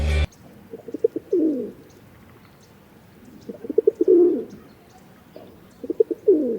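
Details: Rock dove, likely recorded in Sri Lanka, gives three low, throaty coos about every two and a half seconds, each opening with soft stuttering notes and swelling into a rolling, purring phrase.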